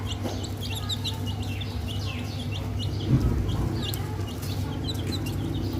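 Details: Young chicks of the hen, playing with eggs, make thin rising and falling peeps in loose clusters, some louder and closer, above a continuous low-pitched background hum.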